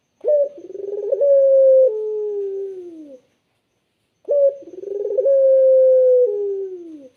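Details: Barbary dove singing two identical clear, melodious cooing phrases about four seconds apart, each opening with a short note, then a quick throbbing roll, a long sustained hum and a falling, fading tail.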